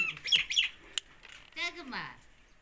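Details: Rose-ringed parakeet from Pakistan giving short harsh squawks high in pitch near the start, then a lower drawn-out descending harmonic call, with a sharp click in between.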